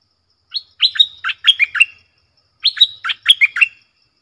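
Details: Red-whiskered bulbul delivering two similar song phrases about two seconds apart, each a cheerful string of five or six clear, slurred whistles rising and falling in pitch.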